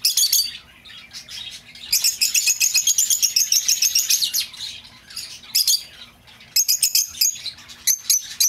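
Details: Lovebird calls played to lure back an escaped bird: dense runs of shrill, high chirps and squawks, nearly continuous, with short pauses around five and six seconds.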